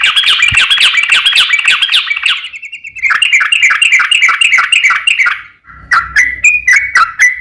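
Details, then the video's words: Yellow-vented bulbul in rapid 'ropel panjang' style, a lure to make other bulbuls sing: dense rushing chatter of quick repeated notes for over five seconds, then slower liquid two-tone phrases. "trucukan gacor ROPEL PANJANG buat pancingan trucukan agar bunyi JADIKAN burung trucuk gacor SEKETIKA"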